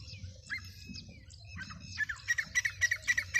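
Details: Black francolin, described as a full-size spirited calling bird, giving harsh squawky notes that start after a quiet, murmuring opening and then come in a rapid run of about six repeated bursts.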